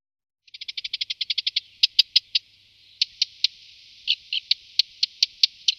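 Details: Male Subalpine Warbler feeding on aphids, in Malta during migration; a quick accelerating-then-steady series of dry ticking notes, followed by spaced hard clicks roughly every quarter second, clear and close.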